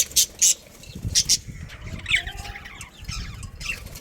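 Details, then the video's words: Budgerigars in a breeding colony make a few bright, high chirps, followed by quieter scratchy chatter and faint flapping-like rustles beneath them. "Cute Budgies Chirping Sounds"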